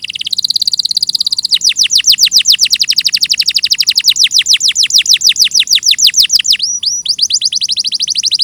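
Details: Canary song, a clear tutor recording: a short buzzy trill, then long rapid runs of steeply descending whistled notes, about three per second, with a brief higher slurred note near the end.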